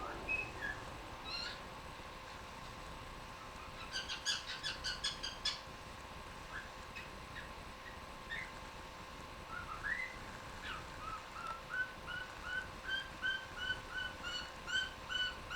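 A cockatiel sings a series of bright whistled notes, some rising, ending in quick repeated chirps.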